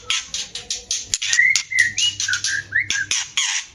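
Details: White-rumped shama in a cage during mating, used as a breeding lure: rhythmic harsh rasping bursts about every quarter second, then a run of short whistled slurs, over a faint low hum.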